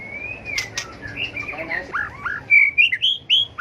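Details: White-rumped shama in provocative contest song for bird training; a long smooth whistle, a couple of sharp clicks, then a quickening run of loud arched whistled notes.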